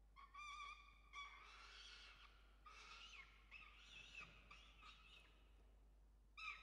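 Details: Peregrine falcon family at a nest in Australia during evening chick feeding, November; faint harsh wailing and chittering calls in drawn-out bursts, with quiet background noise.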